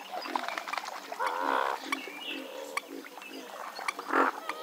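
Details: Western swamphen uttering low, wavering nasal grunts in the middle and a loud, harsh honk near the end, with scattered clicks and faint chirping between.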